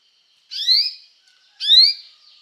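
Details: Canary singing to call other canaries to sing, used for training canaries: two separate bright, rising whistled notes about a second apart, each sliding upward, with silence between them.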